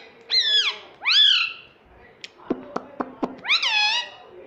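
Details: Pet parrot said to be talking, saying "mummy" and "papa": two drawn-out rising-then-falling voice-like calls, a pause, a rapid run of four dry clicks, then a final similar swooping utterance.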